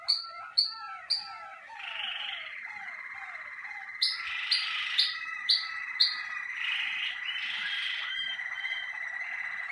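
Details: Caged Malinois Waterslager canary warming up during its first sessions in the singing cabinet. It sings sharp repeated notes with falling slurs, then a long, steady whistled tone under bubbling, rolling phrases, with bright accented notes about every half second.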